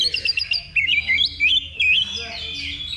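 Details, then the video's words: Oriental magpie-robin song in a simulated level-two contest used as practice before competing: fast, varied, sweet whistled phrases jumping up and down in pitch, with a low hum underneath. "Simulasi Lomba Kacer Level 2 Tuk Latihan Sebelum Tanding"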